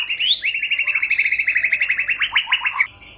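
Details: White-rumped shama song, said to set shamas singing at once: a rapid, even series of about twenty-five short, sharp notes near one pitch, delivered in under three seconds, then a brief higher flourish and quiet.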